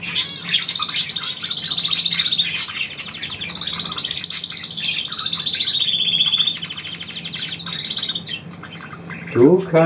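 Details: Pet bird trilling on command from its owner indoors: long rolling high trills and chirps, a steady buzzy trill in the middle, with a man's German speech and applause nearby and a voice at the very end.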